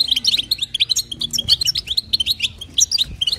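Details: Female European goldfinch calling to stimulate the male: clear, sharp chirps and twittered notes in quick succession, fairly evenly spaced, with a faint low tone behind.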